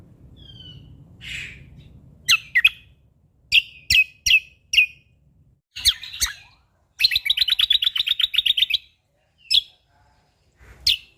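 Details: Sumatran leafbird of Lombok singing energetically: scattered sharp high chirps and paired ticks, then a fast even trill of about fifteen clipped notes lasting nearly two seconds, ending with two lone chirps.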